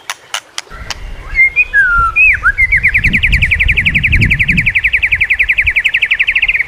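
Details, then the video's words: White-rumped shama training song: a few clicks and slurred whistles, then a long, fast, even trill of repeated whistled notes lasting over three seconds, with low rumbling noise beneath. "masteran burung murai. mewah awas! kesurupan"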